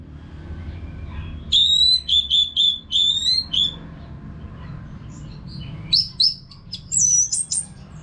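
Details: Orange-headed thrush singing nonstop as training sound for caged birds: a series of clear, slightly descending whistled notes, a pause, then higher sliding whistles over low background noise.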